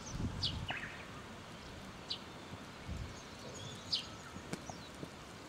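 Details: Japanese wagtail in Kanagawa, Japan, on 24 April 2012 around 11:11, giving three brief, sharp high chips a second or two apart over low rumbling outdoor noise and rustling.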